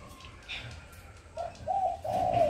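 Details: Very tame spotted dove cooing naturally and continuously at 4:30 in the afternoon. After a quiet, noisy start, three hollow, mellow coos follow, ending in a longer wavering note.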